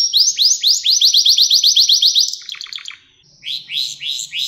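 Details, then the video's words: Canary song made to teach young canaries: a long series of bright upswept whistles about four per second, a rapid descending rattle, a pause, then renewed rising syllables. "Ders Gibi Kanarya Sesi Ve Ötüşü 2 Saat Kesintisiz"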